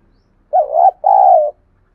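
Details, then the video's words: Spotted dove giving a provoking coo meant to stir wild doves to fight and call in reply. One low, hollow two-part phrase: a short wavering note followed straight away by a longer, steady coo, in a quiet background. "Tiếng chim cu gáy thúc đấu cực đỉnh mở lên bổi và mồi gáy theo xuất ngày"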